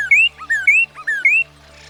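Northern Cardinal song: clear whistled phrases, a short falling slur then a longer rising note, repeated three times about every half second over a faint low hum.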